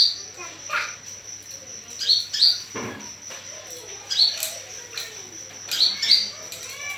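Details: Olive-backed sunbird lure call: bright, piercing paired chirps recurring several times, with a soft thump midway and a faint descending note, all over a continuous thin high tone.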